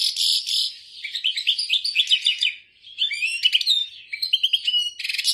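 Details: Goldfinch singing the tolaa style, opening with a buzzy rattle, then a chain of sweet rising and falling chirps, a short pause, more slurred twitters and a closing buzzy burst.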